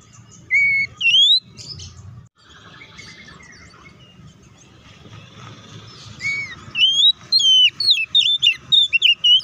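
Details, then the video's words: Oriental magpie-robin song played to goad another kacer into answering aggressively; two sharp whistled phrases open, a stretch of rustling background noise follows, then a fast burst of chirpy, sweeping notes closes. "PANCINGAN SUARA KACER AGAR CEPAT RESPON DAN CEPAT BUNYI AUTO EMOSI!"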